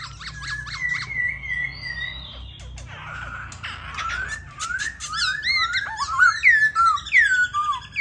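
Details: A caged black-throated laughingthrush sings while displaying and dancing, giving loud, rich whistles: gliding, slurred phrases that rise and fall quickly, mixed with sharp chirps and clicks, in a small room.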